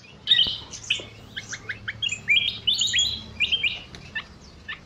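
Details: Bulbul in an aviary in the evening, singing a busy run of short, high, chirpy notes and brief rising whistles, with a quiet background.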